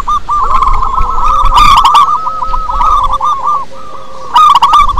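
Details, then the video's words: A strongly calling local zebra dove, kept as a lure for other doves, delivers long runs of rapid, rolling coo notes that blur into a continuous trill, broken by sharp clicking bursts. "Perkutut lokal gacor suara besar cocok untuk pancingan - PERKUTUT SUARA KUNG"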